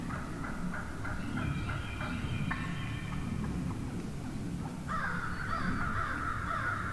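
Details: Morning chorus of wild turkey hens in a huge flock: a run of quick, evenly spaced yelps in the first seconds, then a louder, drawn-out series of raspy yelps near the end, over constant low background rumble.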